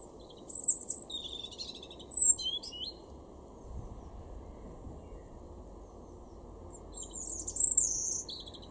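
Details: In a garden in Weener, East Frisia, northern Germany, April 2021, a European robin sings two high, thin phrases of whistles and quick descending notes, falls silent for several seconds, then delivers another shrill sliding phrase.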